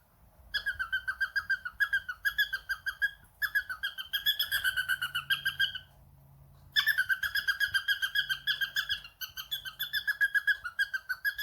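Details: Pet cockatiel answering a phone call repeats quick, ringing, trilled notes in long rapid trains of about four per second, broken by short pauses, with a faint low hum in the room.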